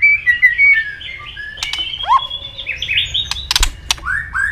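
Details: White-rumped shama fighting song with double tail-flick clicks, aimed at stirring a rival: quick warbled whistles, a steep upward sweep, several crisp clicks, and a rising run of bright phrases.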